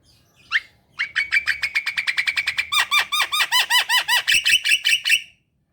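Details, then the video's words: Black-winged myna in vigorous song, meant to stir lazy kept birds into singing: one rising squeak, then a long rapid series of about twenty sharp repeated notes that shift into loud rhythmic chattering with downslurred whistles, ending abruptly. "Pancingan jalak kebo malas bunyi | jalak kebo gacor"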